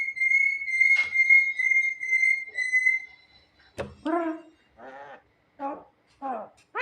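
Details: Javan myna, noted as clever and comical, holding a steady clear whistle for about three seconds, then switching to a series of short nasal, buzzy calls repeated roughly every half second.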